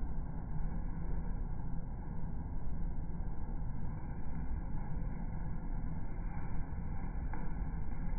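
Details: Low rumbling engine-like noise with a steady mechanical drone throughout, no animal calls audible.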